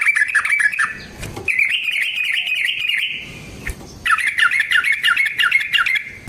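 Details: Yellow-vented bulbul song in rolling fighting style, intended as a lure for other bulbuls: scratchy rapid chirping, a continuous rattling stretch, a brief pause, then renewed fast chattering notes.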